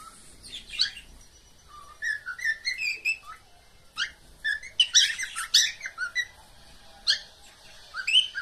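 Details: Pet cockatiels giving a mating call: a busy run of short rising whistled chirps and harsh squawky notes, several birds overlapping in quick irregular bursts.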